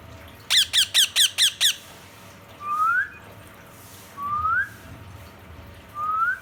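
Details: Calling to another parrot, a ring-necked parakeet gives six rapid rasping squawks in a row, then three widely spaced rising whistled notes, each about a second and a half apart.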